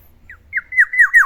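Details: Morning song from a pet black-naped oriole: a loud, rapid string of four or five clear whistled notes, each starting high and curving downward, delivered close up.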